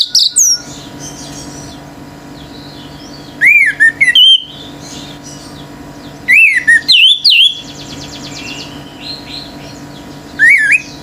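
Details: Orange-headed thrush singing nonstop so other birds join in agitated: clear whistled phrases rising and dipping, delivered in short groups every few seconds, with faint trilling birds behind.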